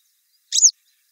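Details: Grey wagtail at the river Lieser, 2017, uttering a single brief, high, sharp call note that slurs downward at the end.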